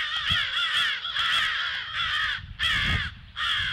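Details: Crows giving alarm calls at 08:50 on 18 February; harsh, loud caws run together in long rasping bursts with brief gaps, several birds overlapping, with low thumps underneath.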